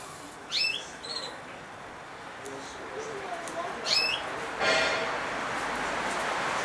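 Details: Young captive male European goldfinch, five and a half months old, babbling in juvenile subsong: sharp upward-sweeping chirps near the start and again around four seconds, with softer twitters between and a rushing noise late on.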